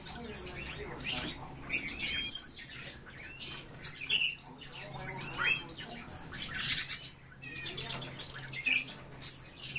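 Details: European bee-eater (Merops apiaster), flock calls.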